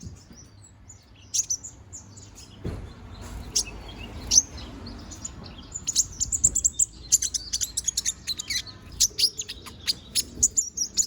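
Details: Young konin sunbird, moulting and growing new feathers, singing actively: rapid high, thin chirps and sharp twittering notes, sparse at first and then in a dense run of quick bursts through the second half, with faint low background noise.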